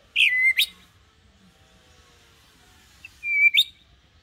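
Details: Calm white-rumped shama singing as a tutor for young birds learning to sing; two short high whistled phrases, each a slurred note ending in a sharp upward flick, separated by about three seconds of quiet.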